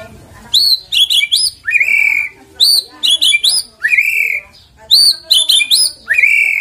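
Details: Shama song for luring the bird into singing: repeated groups of quick upswept chips each ending in a long slurred whistle, the pattern recurring about every one and a half seconds.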